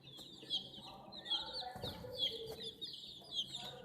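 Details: Domestic chicks react to a toy JCB crane with repeated high, slurred peeps arriving in bursts about every second, plus a soft thud midway.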